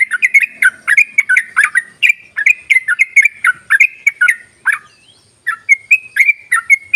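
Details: Trucuk, or yellow-vented bulbul, in fast ropelan phrasing used as a lure: lively tumbling chatter of quick whistled notes, a short gap near five seconds, then more spaced, clearer notes to the end.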